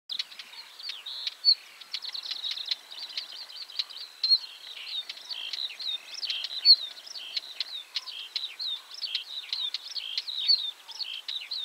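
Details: Northern wheatear singing, with calls, in Poland: a continuous scratchy warble of high chattering, whistled and buzzy notes with occasional sharp clicks, rather faint against soft background noise.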